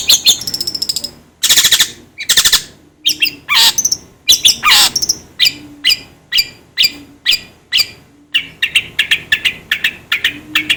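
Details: Long-tailed shrike giving loud harsh broadband chattering notes, many short bursts in quick uneven series, some with rising whistled sweeps and a low steady hum underneath.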